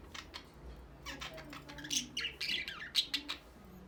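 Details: Budgerigars kept as pets and ready to breed give a burst of sharp, raspy squawks and high chirps that grow busier and louder toward the end, over a faint low hum.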